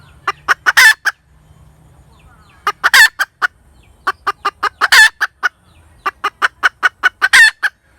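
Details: Four bouts of hen cackling about two seconds apart. Each bout has several quick sharp clucks that end in a long, loud, raspy squawk. Faint low hum sounds in the pauses.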